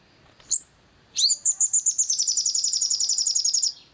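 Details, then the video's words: Long-tailed shrike roused to sing, giving one high shrill note and then a rapid rattling series of bright, high, evenly spaced notes lasting over two seconds before stopping suddenly. "PANCINGAN EMOSI SOGON AGAR GACOR"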